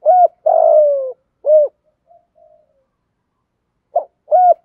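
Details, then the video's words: Decoy spotted dove cooing to draw in wild doves and provoke them. Mellow phrase of a short coo, a long rough gliding note and another rounded coo, then soft faint notes and a new phrase beginning. "Chim cu mồi thúc đấu + gáy gọi bổi nhanh gáy + giọng tốt"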